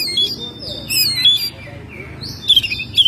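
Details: House-kept Oriental magpie-robin singing in May: sustained high whistles and slurred notes, then a burst of quick tumbling twitters at the end, with a constant low hum behind.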